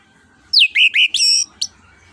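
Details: Orange-headed thrush singing in the open, flowing 'ngeplong' style, used as a lure to prompt other birds to sing: a loud descending whistle followed by three slurred, rich whistled notes and a brief high note, over faint low background hum.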